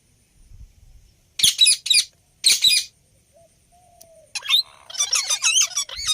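Rose-ringed parakeet giving loud, harsh, screechy bursts in three quick shrieks, then a rapid run of warbling, wavering chatter; otherwise quiet.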